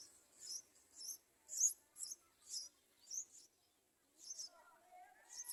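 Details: Yellow-vented bulbul feeding its young: a run of loud, high, buzzy chatter bursts about twice a second, pausing briefly, then resuming alongside a few lower whistled notes from another bird.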